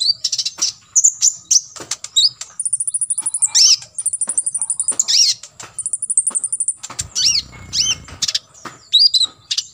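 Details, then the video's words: Sunbird 'full tembakan isian' song from an olive-backed sunbird, recorded for other birds to copy. Long, very high sizzling trills alternate with sharp ticks and twisting squeaky whistles, repeating in bursts of about one second. "KOLIBRI NINJA (KONIN) FULL TEMBAKAN ISIAN"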